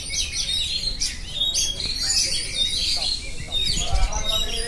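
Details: Oriental magpie-robin in continuous ngerol song, with loud high chattering bursts and whistles, plus some low thumping noise toward the end.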